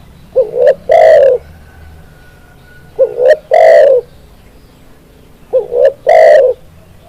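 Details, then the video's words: Tekukur, or spotted dove, cooing song used as a tutor recording. Three phrases spaced about 2.6 seconds apart, each a double rising coo leading into a long, loud, mellow coo. "SUARA BURUNG TEKUKUR, MASTERAN CEPAT GACOR"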